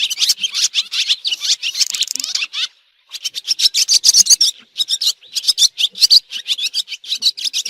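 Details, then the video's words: Swallows in a 2023 recording: dense bursts of high, scratchy chirps and rasping twitters in quick runs, with a short silent gap near three seconds before the chattering resumes. "swallow bird sound"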